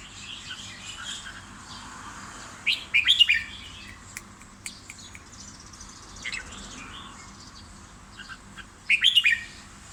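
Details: Red-whiskered bulbul in a cage sings two short whistled phrases about six seconds apart, with faint chirping and scattered ticks in between.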